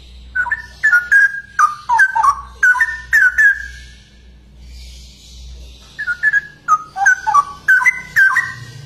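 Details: Straw-headed bulbul (cucak rowo), a rare bird: strings of loud, liquid, warbled whistles, a quiet gap, then another rich, gurgling sequence of downslurred notes.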